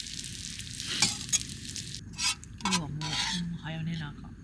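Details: Food sizzles and frying is stirred, with short bursts of clattering and a brief voice in a small indoor space.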